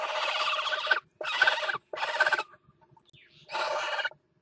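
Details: During mating at the nest on a water tower in Axel, 5 February 2018, a northern goshawk utters a string of harsh, scratchy, drawn-out calls, four bursts across a few seconds.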